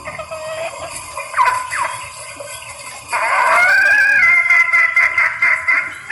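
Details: Hen red junglefowl in heat calling for males, a lure recording: a few short, bent clucks, then a long, sustained, strained squealing note lasting about three seconds, with a faint high buzz throughout.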